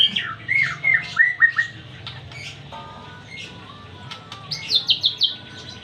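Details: Varied white-rumped shama song of slurred descending whistles and short fluty notes, a pause with quieter chips, then a quick burst of high repeated notes near the end.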